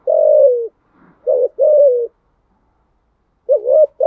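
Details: Spotted dove singing thúc gù coos: a long descending coo, a short note, another long falling coo, then after a pause a wavering rising note.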